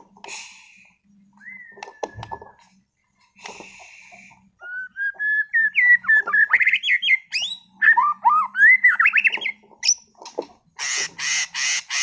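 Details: Caged white-rumped shama of competition class, Sragen: sparse soft notes and a long thin whistle, then an accelerating run of rising slurred whistles climbing higher, closing with harsh buzzy bursts repeated several times.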